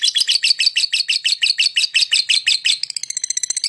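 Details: Lovebird chirping to lure other birds: rapid, harsh high chirps repeated about three times a second, shifting near the end to a quicker run of thin, squeaky notes.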